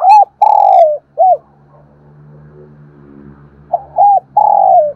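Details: Spotted dove morning coos, loud and close, two phrases of arched and long descending coos separated by a low humming background sound.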